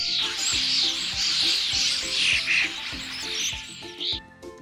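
A starling's high, busy chatter of squeaks, clicks and short whistles runs without pause, over a steady musical backing with a soft beat.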